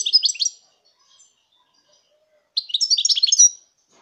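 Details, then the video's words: European goldfinch singing in 2019: a brief twittered phrase fades, about two seconds of near quiet follow, then another fast, tinkling phrase of high, liquid notes. "chant chardonneret"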